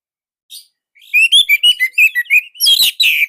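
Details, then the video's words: Indonesian orange-headed thrush, a tight and loud training song: a soft note, then a rapid string of about a dozen bright whistled notes ending in harsher, louder syllables. "Anis Merah Indonesia //Masteran Paling Enak."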